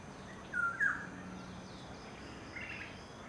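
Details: Adult male banded yellownape (banded woodpecker) calling in an urban neighbourhood garden, Ipoh, Perak, Malaysia, 13 November 2011: two short, mid-pitched call notes in quick succession, then a fainter higher note, over steady background hiss.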